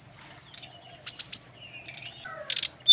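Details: Brown-chested jungle flycatcher, Bali, singing a song said to draw instant replies from others: thin high whistles, a burst of rapid chirps, descending slurred notes and a closing cluster of sharp chips.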